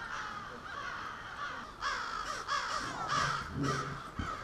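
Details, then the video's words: Many crows at a nightly roost gathering in suburban Halifax, Nova Scotia: a continuous hoarse cawing chorus, with louder individual caws breaking out every half second or so over the crowd, plus a few low thumps. "A Murder Of Crows"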